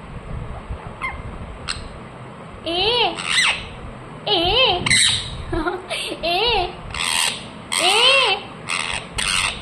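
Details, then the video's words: Talking pet ring-necked parakeet indoors mixing wavering, warbling mimic-like phrases with sharp squawks and chirps in uneven bursts; faint background voices. "Ringneck parrot Chirping sounds"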